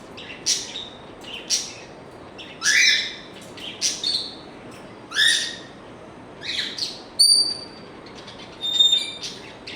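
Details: A series of calls from an African grey parrot: harsh, scratchy chirps at roughly one-second intervals, mixed with pure high whistles. A clean sustained tone sounds near the end.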